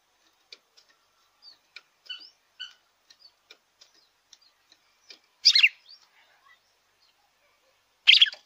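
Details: Red-cowled cardinal song, played to rouse a kept bird: soft scattered ticks and short faint notes, then two loud, dense, high chirpy bursts about three seconds apart.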